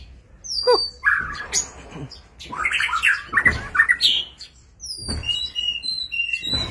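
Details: Displaying White-rumped shama producing a varied jumble of whistles, chatter and high chirps with bangs and rustling noises between phrases.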